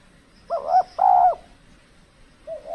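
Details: Spotted dove at a decoy trapping site in extreme cold weather, when the birds turn less aggressive. Two full, rounded coo notes in quick succession, then a softer note starting another phrase near the end.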